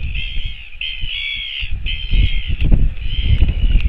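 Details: Northern royal albatross at the nest feeding its chick, recorded 28 July 2024; long rasping, nasal calls each lasting about a second, repeated with brief gaps, beneath strong buffeting wind noise.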